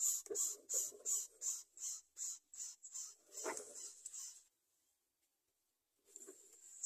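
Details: Greater coucal young begging for food with rapid, rasping hiss-like bursts. The bursts blur into a longer rough sound, then stop, followed by a near-silent gap and a brief final rasp.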